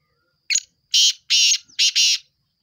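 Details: Black francolin calling in a quiet setting: a short sharp note, then four harsh, grating bursts of rasping sound in quick succession.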